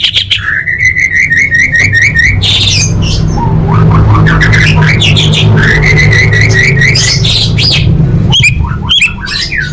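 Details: Female orange-headed thrush calling males, used to lure quiet birds into singing: repeated level whistled notes in quick series, swooping rising whistles, harsh bursts between, then sharp chirps at the close, with low steady rumble.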